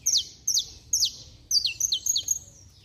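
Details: Saffron finch belting out song to rouse other saffron finches: three loud, high falling chips, then a quicker tumbling burst of several more, sharp and ringing, with almost no other sound.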